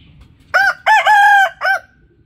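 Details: A loud crow from a rooster, clearly split into four parts: a brief arched note, a quick upswept syllable running into a long even tone, and a short drooping final note. Quiet background hum before and after.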